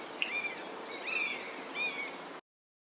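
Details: Common (Steppe) Buzzard recorded in Africa: three thin, drawn-out mewing whistles, each slightly falling in pitch, spaced under a second apart over steady background hiss.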